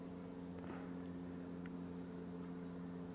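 Steady low engine hum with a few faint clicks, and no animal voices.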